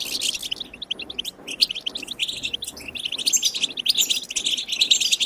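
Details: Goldfinch wild chirping, European goldfinch, played to stimulate singing: quick strings of bright, high twittering notes broken by short gaps, with rapid trills and tinkles throughout.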